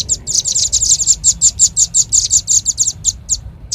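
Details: Red-billed leiothrix lure call used for trapping birds: rapid series of high, sharp chirps repeated almost three times a second, steady then thinning toward the end, over faint low hum.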